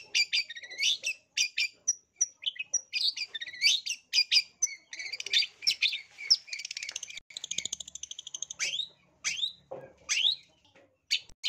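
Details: Long-tailed shrike performing a long, energetic lure song full of mimicry: continuous harsh chatter, buzzy trills and rattles, ending with several sharp descending whistled slurs.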